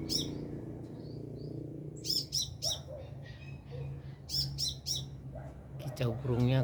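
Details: Sunbird singing in the wild about two meters overhead: bursts of three sharp, high, clipped notes repeated in quick groups, with a low steady hum, some faint lower chirps and a rising trill near the end.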